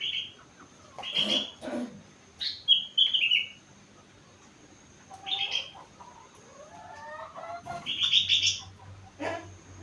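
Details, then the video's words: Sooty-headed bulbul aged four months singing rengganis-filled imitation song: scattered bright whistled and slurred phrases, some falling, mixed with sharp clicking knocks and a faint low hum. "Burung Kutilang gacor isi rengganis cucak wilis"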